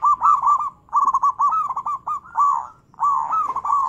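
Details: Zebra dove cooing played as a lure for doves that have gone quiet, described as big-voiced, bekur and crystal variations: nearly continuous looping, bubbling coos broken by brief pauses.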